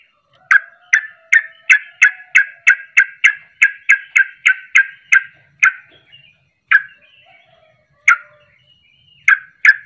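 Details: Sooty-headed bulbul in rapid 'ropelan' style, used as bait to provoke other birds to sing; a fast run of about fifteen sharp, bubbly notes, then scattered single notes with pauses.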